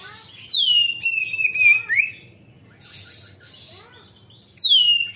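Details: Oriental magpie-robin in continuous song, played to stir untrained birds: a clear descending whistle that levels off and snaps upward, followed by soft chirps and a quieter stretch before the long whistle returns.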